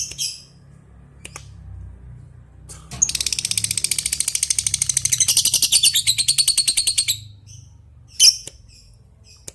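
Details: Lovebird calling a rival, a few isolated sharp squeaks, then a long "ngekek" of rapid, steady, shrill chattering notes lasting about four seconds, followed by more single squeaks; steady low background hum.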